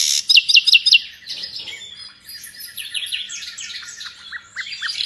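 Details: Nightingale, sought in Indonesia as a tutor for pet songbirds, starts with four loud sharp downward chips, then a thin high whistle and a rambling mix of twittering slurs, ending with short repeated downward notes.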